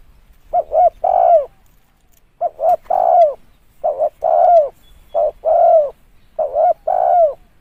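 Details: Spotted dove cooing for luring: five phrases of two quick notes then a longer, falling coo, repeated with short pauses, clean background.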